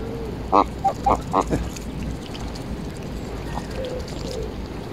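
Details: Embden geese being petted and fed in Longton Park, Stoke on Trent, on 18 July 2022; a quick run of four or five short, harsh honks near the start, then quieter nasal notes over steady background rumble.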